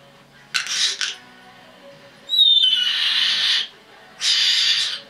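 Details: Red-bellied parrot, a 10.5-month-old female pet, letting out three loud harsh screeches, the middle one longest and opening with a high thin whistle, with quiet gaps between.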